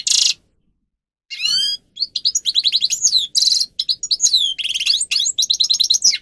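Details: Grey-crowned goldfinch singing for training captive birds: a short harsh burst, a pause, then fast twittering song with buzzy nasal notes, rapid trills and high whistled slurs, all clean and loud with no other sounds.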